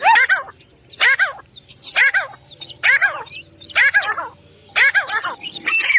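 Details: Grey Francolin (teetar) giving bursts of rich, harmonic, chuckling notes in clusters about once a second, each cluster wavering up and down, with a faint low hum underneath.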